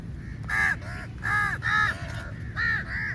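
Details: Crows gathered in large numbers at feeding time, attacking the food: loud, hoarse caws in short bursts, roughly four or five strong calls with brief gaps, over low background rumble.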